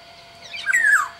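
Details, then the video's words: Black-naped oriole, Sumbawa type, kept as a songbird: a single nasal, scratchy call that climbs then glides down, over a faint steady background hum. "suara burung kepodang sumbawa GACOR DOR"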